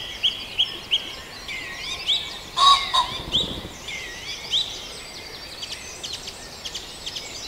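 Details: Birds in a dawn chorus at Farndale: scattered thin high chirps and short whistles, broken midway by a louder, harsher call, then fading to faint distant twittering over background hiss.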